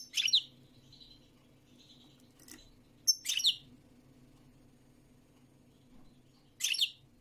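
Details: European goldfinch song: short, bright, twittering bursts of high notes at irregular intervals, with brief quieter chirps between them and a faint low hum behind.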